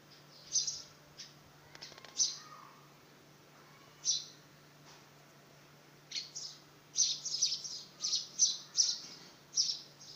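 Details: House sparrow fledgling trying to fly on its first flight: short high chirps, scattered at first, then a quicker run of bright chirps near the end, with faint rustling.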